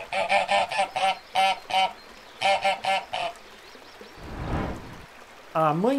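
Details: Ducks on a pond: a rapid run of harsh, nasal quacking in bursts, then a broad splash or rush, then another honking quack series at the end.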